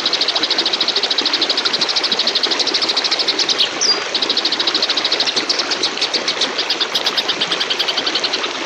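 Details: Oriental magpie-robin fighting, its ngebrem sound recorded as a master song for training birds: a fast, harsh, pulsed rattle of high notes repeated steadily throughout, broken by one brief whistled slur midway, over heavy constant background noise.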